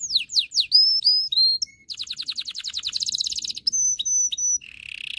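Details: Canary singing to stimulate males and excite females for breeding: downward-slurred notes and whistles, a dense rapid trill, long steady whistled notes, then a low buzzy ending.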